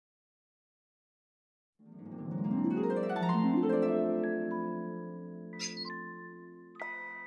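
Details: Silence gives way to rippling plucked harp notes that sweep upward, then sustained chords ring out, with no animal calls.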